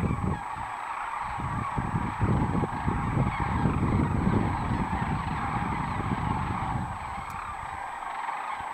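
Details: A noisy flock of unidentified birds near Donner Pass in the Lake Tahoe area, California, giving rough honking calls in quick, irregular succession over a steady hiss of background noise.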